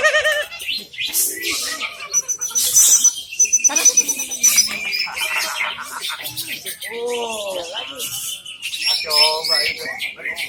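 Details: Greater green leafbird (Chloropsis sonnerati) at a songbird contest where it won, pouring out a rich, varied song of rapid, mostly high whistles, chatters and slurred notes, with people talking and background music.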